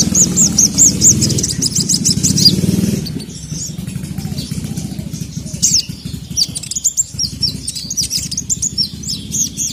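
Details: Agitated ruby-cheeked sunbird (sogon) calling a male. High, whistled, repeated notes ring over a loud motor-engine rumble, then scattered sharp chips continue after the engine fades.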